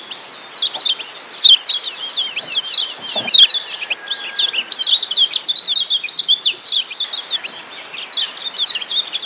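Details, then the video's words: Lombok yellow white-eye (kecial kuning), used as a training song for captive birds, sings a fast, high, twittering song of chirps and trills, running almost continuously with slight background hiss. "Masteran Kecial Kuning"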